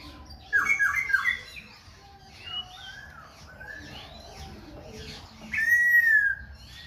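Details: Khe Sanh laughingthrush singing and dancing with continuous voice switching: a short loud burst of warbled notes, a stretch of softer varied chatter and slurred whistles, then a strong sustained whistle sliding gently downward.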